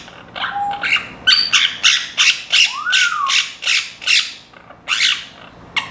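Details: A pet Timneh African grey parrot (Psittacus timneh), indoors and starting to make new sounds, gives harsh, clipped squawks mixed with a few short whistled mimic sounds.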